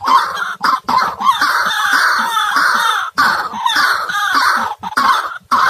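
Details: Trapping lure of white-breasted waterhen: long stretches of loud, harsh croaking and chattering, interrupted by a few short pauses.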